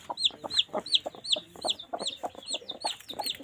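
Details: Two hens laying eggs in a nest, with steady low clucks and high arched peeping notes repeated about three times a second.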